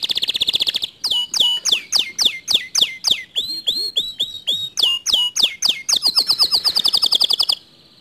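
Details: Canary singing to provoke a silent canary into song: a buzzy rattle, then a long series of downward-sweeping whistled notes repeated about four times a second, closing with a fast even trill.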